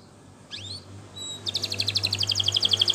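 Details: Canary training song, Spanish Timbrado style: a few thin upslurred whistles, then a rapid bright rolling trill of evenly repeated ringing notes, over a low steady hum.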